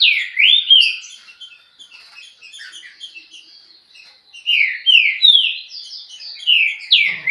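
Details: Trinca-ferro delivering a high-speed Chucrinho song: strong whistled swoops at the start and end, a softer chattering middle section, quiet background.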